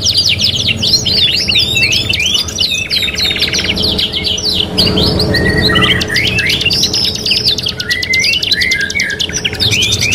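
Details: Several canaries (kenari) overlap in a three-in-one training recording, producing dense continuous trills and rolling warbles, followed by slower looping whistled phrases and sharp buzzy rattles.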